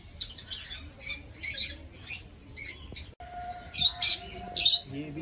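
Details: Yellow lovebirds, a pair, giving sharp, shrill squawking chirps in separate bursts roughly every half second, with brief gaps and a faint steady tone in the background.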